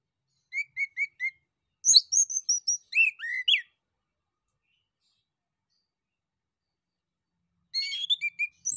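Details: A male orange-headed thrush sings four quick, clear whistled notes, then a varied run of sweet, warbling phrases, pauses, and resumes with a bright, rapid flourish. The song prompts other birds to answer. No other sounds.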